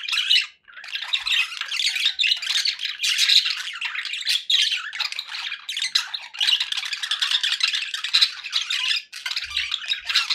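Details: Several kept budgerigars sounding content, a steady stream of raspy warbles, clicks and high chirps overlapping with hardly a gap, plus one faint low thud near the end.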